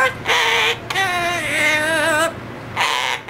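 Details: Pet yellow-naped amazon singing Happy Birthday in a human-like voice: tonal, harmonic-rich sung phrases with wavering pitch and a long drawn-out middle note, separated by short pauses.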